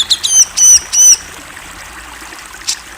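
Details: Grey-cheeked bulbul, a national champion singer, giving three loud clear upslurred whistles in quick succession, followed by quiet.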